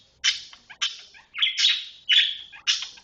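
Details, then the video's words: Long-tailed shrike giving "roll speed rapat" song, a fast tight roll: rasping high bursts about every half second, with one drawn-out buzzy note in the middle. "cendet roll speed rapat"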